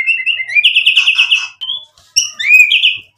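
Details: White-rumped shama singing energetically, a lure song meant to provoke other birds into replying: a long buzzy trill at steady pitch, a brief pause, then a rising slurred whistle that breaks into a fast warbling trill.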